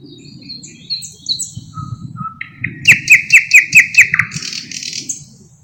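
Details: Thrush nightingale song opening with thin high whistles and soft piping notes, building into a loud run of six rhythmic chopping notes, then a buzzy trill that fades; low background rumble throughout.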